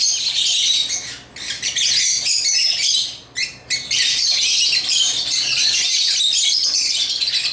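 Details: African lovebirds chattering while they play with toys: rapid, high, scratchy chirps in long runs, interrupted by two brief quiet dips.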